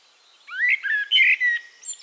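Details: Eurasian blackbird from Castricum, the Netherlands, giving a short, smooth rising and falling fluted warble lasting about a second and a half.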